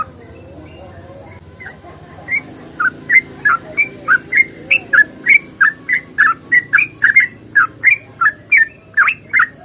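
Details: Sooty-headed bulbul in a long rapid fighting song, intended to make silent bulbuls sing. After two quiet seconds with faint distant notes, a steady run of loud, sharp whistled chirps builds up, about three per second.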